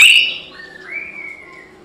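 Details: White-rumped shama, said to be singing for a fight, giving a brief sharp high note followed by a soft, drawn-out whistle fading away.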